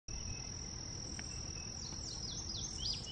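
An indigo bunting gives a short run of high, quick, slurred notes, some paired, near the end. A steady high insect drone and low rumbling background run throughout.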